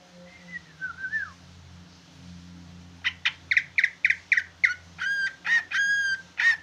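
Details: Large leafbird singing actively in a style resembling the trucukan bulbul: a sliding falling whistle, a pause, then a quick run of sharp chirpy notes and short whistled phrases, over a faint low hum.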